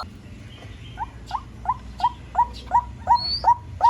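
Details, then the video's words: White-breasted waterhen on a lure recording: short, rising, slurred notes repeated very regularly, roughly three per second, swelling gradually louder over a low background hum. "Tiếng chim cuốc"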